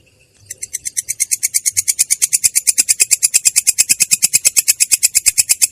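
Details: Long-tailed shrike beginning its rough, clear rolling song after a brief quiet moment, launching into a fast series of grating notes repeated roughly three times a second that grow steadily louder.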